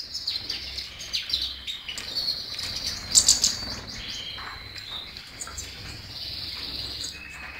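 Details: European goldfinch singing: high, bright twittering chirps and short buzzy trills, a louder burst of tinkling notes near the middle, then steadier high warbling to the end.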